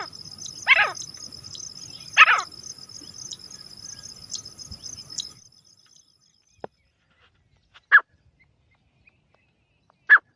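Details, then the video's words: Repeated sharp falling calls of a partridge (teetar) over a shrill steady insect drone, which stops. A few brief, widely spaced calls follow in near silence. "Teetar awaaz"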